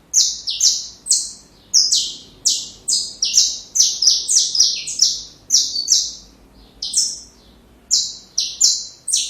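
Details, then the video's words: Saffron finch singing a song meant for training young birds: a dense run of sharp, high, downslurred notes, often in quick pairs, pouring out almost without break for nine seconds before a short pause near the end, in a quiet background. "Canário da Terra Canto Perfeito Para filhotes"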